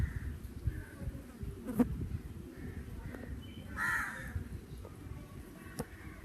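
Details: Crow in summer with one distinct hoarse caw midway and faint caws before it, amid low rumble and a few sharp clicks or knocks.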